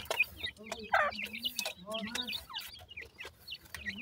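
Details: Baby partridges feeding utter short, high, up-and-down peeps. Lower drawn-out tones and a few pecking clicks sound beneath them.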